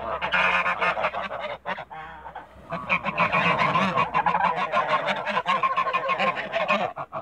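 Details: Toulouse geese in a backyard, a flock giving dense, overlapping nasal honks and cackles in rapid bursts, loud and continuous with only brief pauses.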